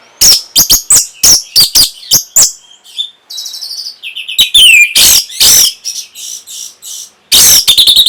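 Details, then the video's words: Orange-headed thrush song used to stimulate breeding and get a reply. It is a rapid, varied string of sharp chirps, buzzy trills and a falling whistle, with repeated loud harsh rasps near the end. "NYANYIAN BURUNG PUNGLOR PEMBANGKIT BIRAHI"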